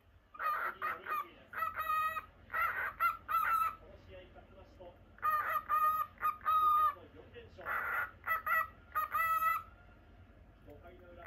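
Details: Pet lutino cockatiel in its indoor cage calls persistently, stringing loud nasal chirps into rapid groups of three to six, with brief pauses between each cluster.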